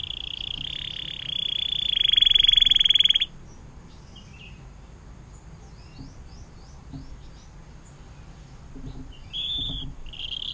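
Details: Atlantic canary giving 'air mancuran' (water fountain) song, a long style used to tutor magpie robins, greenbirds and shrikes; a loud, high, rapid trill swelling for three seconds, then quieter scattered chirps and brief trill bursts.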